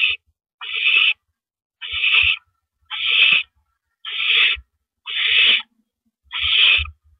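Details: Barn owl at the nest on April 9, 2012, 8:45 PM, as the male delivers prey, a rodent. Six harsh, hissing screech bursts of about half a second each, spaced roughly a second apart, with faint low thumps between them.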